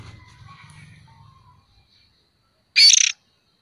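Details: Juvenile oriental magpie-robin used as a lure, giving a single loud, rasping burst near the end after a low rumbling background fades out.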